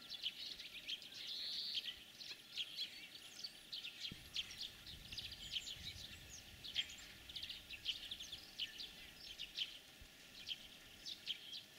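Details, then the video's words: Long stretch of European greenfinch spring song: continuous chattering twitters and fast trills, phrases tumbling one after another without pause, faint distant rumble beneath. "Зеленушки. Голоса птиц"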